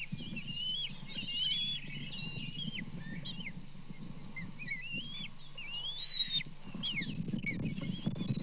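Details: Bald eagles at a Kansas nest on 24 May 2024 during fish deliveries and a fish theft: piercing whistled squeals and rising chitters tumble rapidly, with low rustling and wind beneath.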